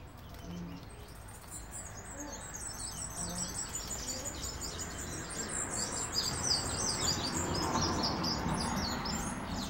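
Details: Caged Cuban bullfinch (Melopyrrha nigra) singing while perched on the hand: thin, high chirps and short trills repeated quickly, over a busy background of other small birds and a few low coos.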